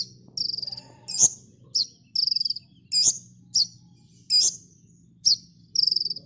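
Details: Sunbird known locally as kolibri ninja, used as a training master for cage birds, delivering dense high-pitched song: squeaky whistled notes interleaved with quick buzzy trills, steady phrases roughly every half second, soft background hum and a few clicks.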